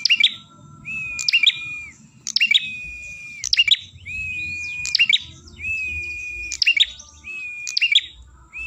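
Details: Ashy tailorbird song played to lure birds. Repeated phrases of piercing, stacked chip notes, each followed by a long, even whistle that dips slightly at the end, about eight times.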